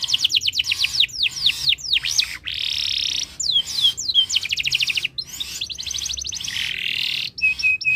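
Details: Canary in breeding condition, in full song to set other birds singing: rapid series of falling whistled notes, buzzy trilled rolls, clear swooping slurs and a closing run of short chips.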